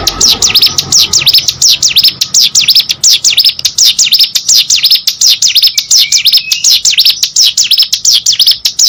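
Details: Hill prinia in full, lively song, used to spur other birds into singing: a dense, nonstop chain of shrill, high V-shaped notes delivered rapidly, with a short low tone in the background near the start.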